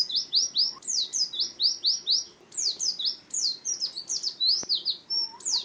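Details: Oriental white-eye song, used to prompt other birds and as a tutor for learning songs: fast, high, thin chattering phrases of descending slurred notes, running almost continuously with short breaks.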